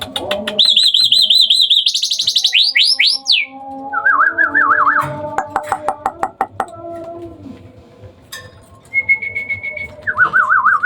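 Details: Hybrid Asian pied starling singing a lot at night: a varied run of wavering high whistles, fast rising slurs and trilled notes, then rapid clicking series, a flat whistle and further wavy whistled phrases.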